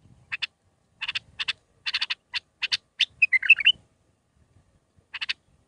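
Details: Bulbul singing the six-phrase Mandalawi song used for teaching young birds: a steady series of dry clicking bursts, then a brief sweet warbled run, a pause and one more click burst.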